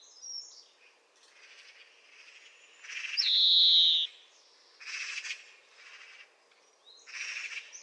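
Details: European greenfinch singing. A single loud, nasal wheeze that falls slightly in pitch stands out among quieter rasping, chattering notes that come before and after it.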